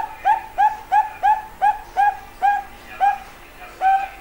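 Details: Bangkok-type zebra dove (perkutut) with a soft voice, giving a steady series of short, mellow cooing notes, each rising then falling slightly, about nine notes in four seconds, with a longer note at the end over a quiet background.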